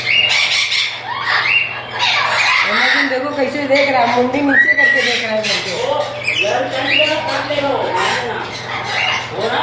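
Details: A breeding pair of chattering lories give loud, harsh squawks and rapid chattering notes nearly nonstop, with a steady background hum throughout.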